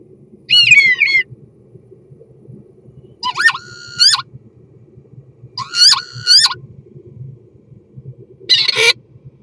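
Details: Common starling giving mating song: a series of nasal, harmonic notes that bend upward and warble, repeated in several separate phrases, ending with a short, rough, crackling burst.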